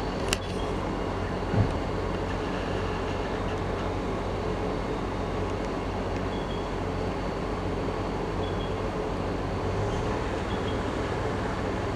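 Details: A steady low mechanical rumble, like a passing train or vehicle, fills the whole stretch with no animal calling.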